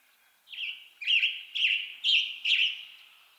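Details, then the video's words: Western Tanager of western North America singing five short, hoarse, burry phrases in quick succession, about two each second, with a faint background hiss. "Western Tanager Bird Song"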